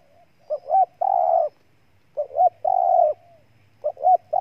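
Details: Spotted dove of Ninh Thuận, Vietnam, repeating its coo about three times. Each phrase has a brief two-note lead-in and then a long, buzzy, even coo, with pauses of under a second between phrases.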